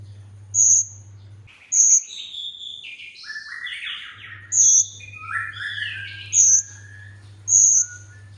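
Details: Olive-backed sunbird song used as training audio to prompt other sunbirds to sing: very high, short piercing notes about once a second between lower buzzy, slurred warbles, over a steady low electrical hum.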